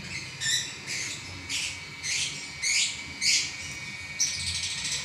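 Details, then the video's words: Champion lovebird in continuous ngacor singing: a run of softer, scratchy chirps repeated about twice a second, some with thin whistled edges, ending in a blurred burst of chatter, with a low rumble behind. "Burung LoveBird Juara Nya Ngacor 11 Menit Enggak Berhenti"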